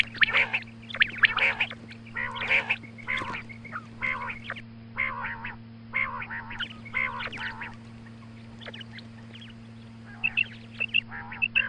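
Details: In the morning, a female quail calls for hunting use: harsh, nasal, quacking notes in rapid uneven runs, a quieter pause, then sharper clicks resume, with a constant low hum.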